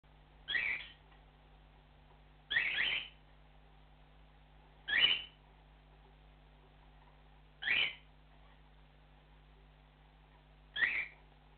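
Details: ['Cockatiel flock call: five loud, rising whistled notes, each about half a second long, spaced two to three seconds apart in a quiet indoor setting with a low steady hum.']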